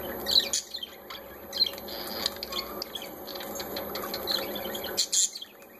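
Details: Parakeets chirping, shown enjoying themselves: short, high, scattered tweets and squeaks in irregular bursts, with a faint steady background hiss.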